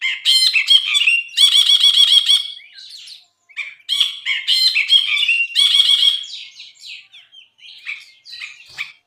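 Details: Brinji (bulbul) in full song, recorded as a tutor track for songbirds: repeated harsh buzzy chattering bursts mixed with bright whistled notes, followed by quieter varied chirps.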